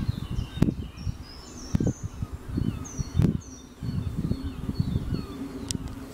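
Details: A white stork, happy with its new lookout perch, clatters its bill in a low, rapid wooden rattle that swells in bursts, with thin whistles of small birds faintly behind.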